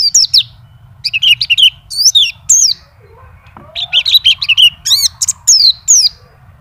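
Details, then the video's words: Champion contest white-eye from Indonesia singing continuously, showing its song fill: high, sharp chirped and slurred notes in quick bursts separated by short pauses, with a low steady rumble underneath. "PLECI NGACOR ‼️BONGKAR ISIAN"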